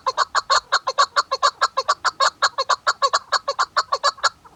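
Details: A female chukar partridge, used as a hunting decoy, gives a fast, steady run of harsh clucking chuck notes, about five or six a second, with nothing else audible.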